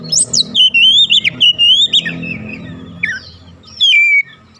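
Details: Oriental magpie-robin song played as a lure for other magpie-robins: a dense stream of bright whistled notes, then scattered softer calls, over a steady low hum.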